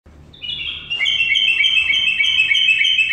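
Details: Common myna giving a loud, sustained, buzzy tone with a rapid trill texture, holding steady and high-pitched for about two seconds after a faint start.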